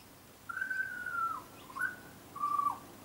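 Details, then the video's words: A tame young butcherbird on a garden visit gives three pure whistled notes: a long level tone that slides down at its end, a short upward-flicked note, then a brief level whistle dropping away, in stillness. "Young Butcher Bird is singing a song"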